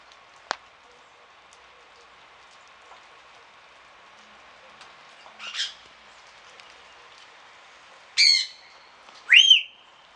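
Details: A grey parrot (Congo) in the Děkanská zahrada aviary, Pelhřimov, on a rainy morning of 6 November 2017, gives a harsh squawk and then two loud whistles, one falling and one rising, over a steady hiss of rain.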